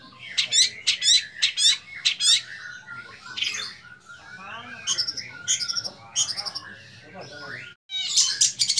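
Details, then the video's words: Young long-tailed shrike with a rich repertoire: a varied, scratchy song of quick chattering phrases and whistles, mixing in mimicked notes of other birds, with brief pauses between bursts. "BURUNG CENDET MUDA BERMATERI MEWAH"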